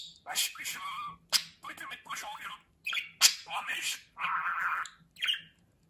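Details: Pet budgerigar talking: chattering bursts of scratchy, speech-like mimicry broken by short pauses, with sharp clicks and squawks between phrases.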